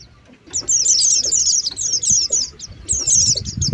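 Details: Oriental white-eye lure recording, quiet start then a dense run of high twittering chirps, a pause, and another burst, low rustle beneath.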